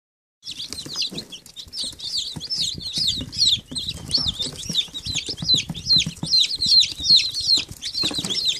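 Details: Several baby chicks peeping together: thin, high, down-slurred peep notes overlapping rapidly, with soft rustling and scratching beneath.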